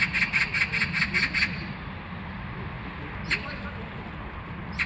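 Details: Magpie chattering in a quick burst of about seven harsh, rasping notes, then pausing before two isolated scratchy calls, with a constant low background rumble throughout.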